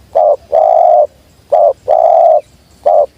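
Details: Spotted dove calling in a steady rhythm: short low coos alternate with longer, even, hollow notes, three short and two long across a few seconds.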